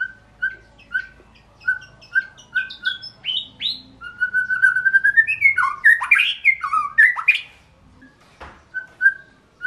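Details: Kept white-rumped shama, Indonesia, opening with a steady series of identical short whistles, building into a rising trill and a loud jumble of slurred and harsh notes, then quieter whistles.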